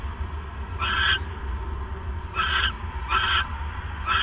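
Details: ['At night on 28 December 2014, 9:42 PM, the male owl brings a third mouse; four harsh, noisy screeches at irregular spacing, the last cut off, over a continuous low hum.']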